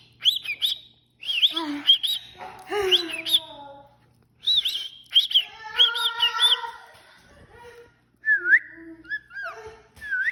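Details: A pet talking cockatiel mixes bright, looping whistles with raspy, speech-like phrases copied from people, such as "pretty bird" and "peekaboo".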